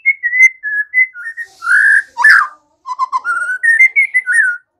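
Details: White-rumped shama song played to train young captive birds to sing: a run of low, mellow whistled notes, a harsh rasping burst midway, then rising fluted whistles.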